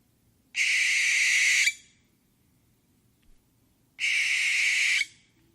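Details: Owl giving two harsh, hissing screeches, each lasting about a second, separated by a pause of roughly two seconds, against an otherwise quiet background.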